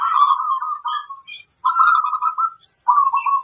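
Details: Zebra dove song used as a training recording to prompt other birds to sing: three rolling, cooing trilled phrases with a hurried, bubbling rhythm, each about a second long, separated by short pauses.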